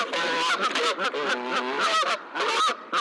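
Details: Geese on the day goslings hatch at the nest, three goslings visible and more eggs nearly hatched, giving continuous overlapping nasal honks with some higher squeaky notes.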